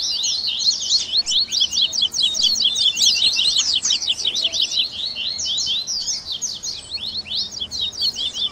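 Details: Bird-warming recording to get a captive double-collared seedeater singing: continuous, energetic high twittering with rapid repeated chirps, densely overlapping throughout.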